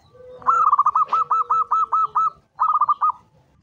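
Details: Zebra dove pikat recording of the long 'kuk 7' type, a local bird: one extended phrase of about ten rapid rolling coo notes, a short pause, then a five-note phrase, over a steady low whistle and soft background noise.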